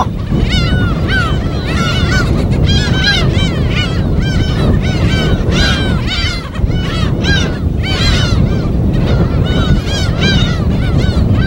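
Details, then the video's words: Crowded chorus of gulls at a wild colony on a deserted Korean West Sea island: rapid, ceaseless overlapping yelping cries from many birds over a constant roar of surf. "갈매기소리 무인도 자연의소리 파도소리와 갈매기소리"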